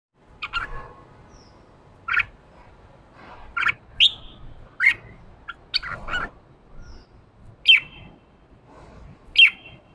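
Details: Caged wild-caught red-whiskered bulbul, a male being stimulated to sing in the fiery 'ché' style, gives short bright chirped phrases around every one to two seconds. Notes are loud, sharp and sometimes slurred upward, with quiet room noise between them.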